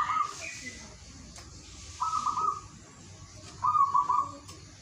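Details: Local zebra dove calling in the morning to stir silent doves into song: three pulsed, rolling coo phrases spaced over several seconds against steady background hiss and faint lower notes.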